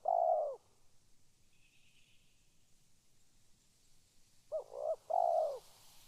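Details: Calling spotted dove: one phrase ends with a sustained coo, then after a quiet pause a fresh phrase of two short coos and a longer, rounded final coo.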